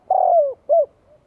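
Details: Spotted dove, singing to provoke rivals, gives a long loud coo that drops in pitch at its end, followed after a short gap by one brief rounded coo.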